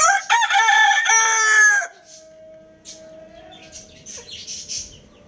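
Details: Lohmann Brown rooster crowing: one loud, rich, harmonic crow held for nearly two seconds at a steady pitch before cutting off. Afterwards come quieter high chirps from small caged birds.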